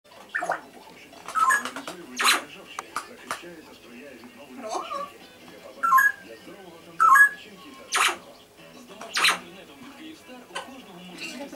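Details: Pet grey parrot talking in Russian (hello, goodbye), switching between male and female voices, in short speech-like bursts with sharp whistled notes mixed in; faint background noise.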